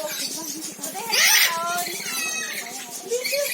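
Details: Eclectus parrot giving one harsh, broadband screech lasting about half a second, surrounded by softer chattering, speech-like vocal sounds.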